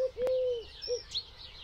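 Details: Eurasian collared dove in a UK garden gives its soft, low three-part coo, short, long, short, with thin chirps of small birds above.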